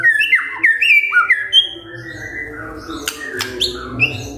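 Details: Morning magpie-robin lure song: clear whistled slurs and rising notes in the first half, then softer scattered whistles and sharp clicks over background hiss.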